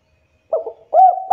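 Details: Spotted dove lure call, used to prompt young, silent birds to start singing. Two short, low hooting coos: a soft wavering note followed by a louder, rounded one, with a quiet background.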